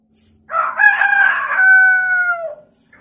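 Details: Chatty hill myna doing a rooster-style crow: a harsh, ragged opening runs straight into a long, clear, sustained note. The note slides gently downward and fades after about two seconds.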